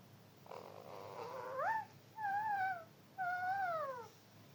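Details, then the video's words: A talking parrot utters three drawn-out harmonic whistled phrases, the first rising sharply, the next two gently arching then sliding down, each about a second long, separated by brief pauses over a quiet room hum. "talking parrot"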